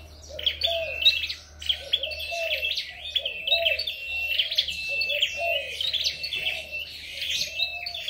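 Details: Red-headed flowerpecker singing in a contest, pouring out dense high twittering and brief trills almost without pause, over a thin whistle, with low warbled notes repeated below.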